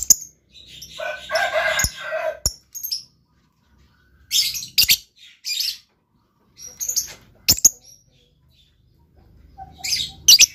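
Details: Lovebird chattering in irregular bursts of shrill chirps and squeaks, with a lower, harsher chattering passage early on and quiet gaps between phrases.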